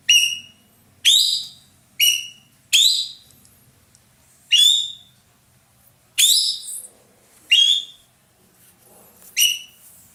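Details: Loud singing from an ekek keling, a roller used in Indonesia as a song tutor for cage birds: strong, rich whistles falling in pitch, delivered in irregular bursts about a second apart, nine notes over a quiet background.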